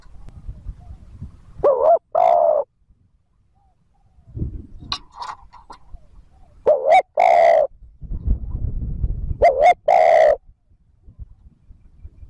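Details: Spotted dove coos meant to draw in wild doves: three separate low, throaty two-note phrases spaced several seconds apart, with short soft sounds and low rustling between them.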